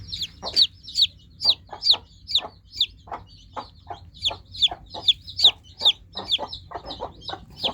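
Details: Newly hatched chicks peep loudly and rhythmically, each shrill note falling steeply in pitch, about two per second in an even series, with faint lower clicks underneath.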